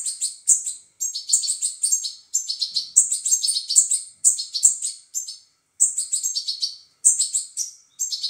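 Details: European goldfinch chicks begging while being fed: dense, buzzy, high-pitched chirps in rapid bursts that each last about a second, separated by short silent gaps, with no other sounds.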